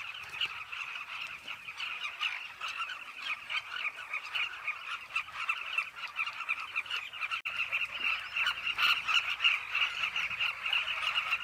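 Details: A dense chorus of Carmine bee-eaters at a riverside cliff nesting colony: many birds giving short, throaty, rolling calls at once, overlapping into a steady chatter.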